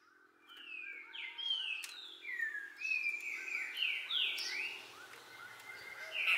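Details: ['Green-winged saltator song recorded in Araruna, Paraná, Brazil, on 2 August 2020, used to stimulate caged birds: a series of slurred whistles, rather distant, with background hiss and other birds.']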